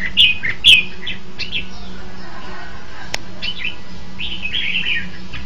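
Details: Red-whiskered bulbul song, 2015. Two loud, sharp whistled notes open, then softer warbled phrases rise and fall in pitch, ending in a longer lilting phrase. A faint low hum runs throughout.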